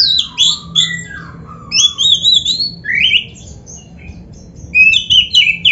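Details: Oriental magpie-robin (kacer) training song for caged birds, 'gacor full isian': slurred whistles falling and rising, some scratchy notes, delivered in spaced bursts of quick phrases.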